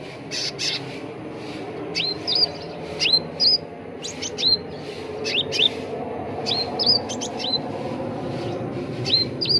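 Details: Cucak ranting bulbul, song used to train birds to sing: scattered rising whistles that level off high, spaced a second or so apart, over constant low noise.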